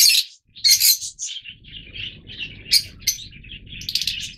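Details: Several Yellow Fischer's lovebirds in captivity give sharp, piercing chirps followed by rapid, overlapping squeaky twitters, over a soft low background hum.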